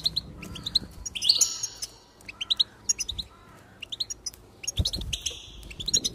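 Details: Goldfinch song meant to stir a goldfinch into singing: bursts of rapid, bright twittering and chirps with short buzzy, nasal trills, separated by brief pauses, with faint low thumps in the background.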